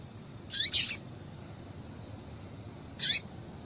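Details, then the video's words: Rusty-collared Seedeater female calling to excite males: a fast double chirp, high and shrill, followed after two seconds by a single matching chirp, over faint hiss. "Piado de Fêmea de Coleiro Com Piado de Fêmea de Coleiro Quente para Esquentar Coleiro tui tui"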